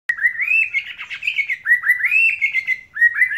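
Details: White-rumped shama of the Medan type, North Bali line, singing a fast run of rich whistled phrases that rise and fall, with slurred notes tumbling one after another and no pauses.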